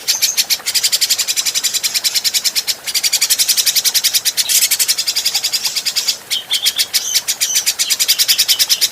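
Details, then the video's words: Grey-cheeked bulbul, adult, in a clean training recording: an almost unbroken harsh, buzzy rattle of fast, even pulses with brief gaps, ending in a slightly higher, thinner run of rapid notes. "Masteran Burung Cucak Jenggot"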